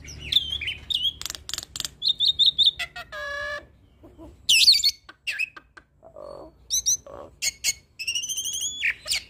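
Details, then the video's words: Varied hybrid starling song, rich in fill-in phrases for tutoring other songbirds: clicks and rapid triple whistles, a nasal buzzing stack, a loud squeal, then a brief hush before low churrs and high whistles return. "Jalak Silangan gacor Full Isian Pas Untuk Masteran Jalak Suren dan Burung Kicau lainnya"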